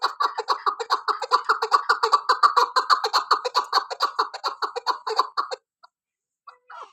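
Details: Female chukar partridge calling, recorded for hunting: fast, rhythmic chuck notes, about two per second, rising and falling in loudness for five seconds. The calling then stops, followed by near silence with a faint note.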